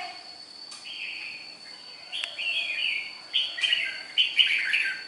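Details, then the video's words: Red-whiskered bulbul from Nghệ An, Vietnam, praised for a good voice, gives short bright warbled phrases that rise and fall. They grow louder and come in quick bursts toward the end, over a steady high thin whine. "chào mào mộc. gốc nghệ an. cao cầu giọng tốt."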